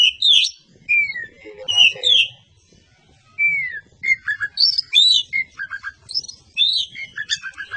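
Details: A champion white-rumped shama (kacer) in varied song: clear whistled notes, several sliding downward, mixed with short chirps and quick trills in phrases separated by brief pauses, the later phrases fast and choppy.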